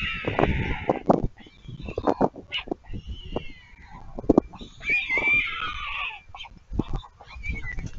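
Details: Young storks at Leemansmolen, Vriezenveen, Netherlands, on 3 July 2022, fighting for food: shrill, whining harmonic cries in irregular bursts, mixed with dull low thumps and scuffling.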